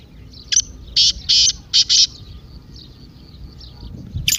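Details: Partridge call meant to set a silent partridge calling: one short note, then a run of four harsh buzzy notes, followed by faint chirps and a final sharp burst.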